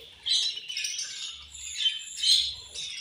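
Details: Budgerigars at food time giving scratchy, squawking chirps in quick overlapping bursts, a noisy chorus of several birds with soft low thumps underneath.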